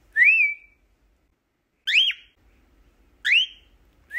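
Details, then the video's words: A two-month-old cockatiel trades clear, high whistled chirps back and forth with its owner, some rising then dropping, roughly one every one and a half seconds, in a quiet room. "cockatiel tweeting back and forth with owner"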